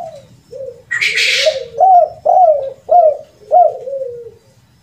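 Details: Spotted dove, locally tekukur, uttering a rare kuk 2 and kuk 3 lure call: a run of low, soft coos, each briefly rising then falling, repeated about twice a second, with a short rustling burst near the start.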